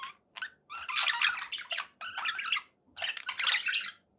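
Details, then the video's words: Happy pet budgerigar sounds: separate bursts of scratchy squawks and chirps, each lasting under a second, with short quiet gaps and a faint low background hum. "happy budgie sounds"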